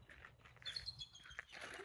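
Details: Two bald eagles perched at the top of a nearby tree give a few faint, thin, high piping notes in quick succession over a soft hiss of background noise.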